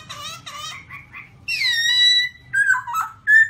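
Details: Black-throated laughingthrush in song on rocky mountain terrain, 2016: a few short, buzzy notes, then a long, bright, level whistle and choppy, warbled phrases, with a low background hum.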